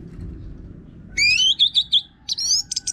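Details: Orange-headed thrush in vigorous, rough-voiced song used to prompt other birds to sing: a long rising whistled slur into wavering notes, followed by a buzzy trilled phrase and a few quick chirps.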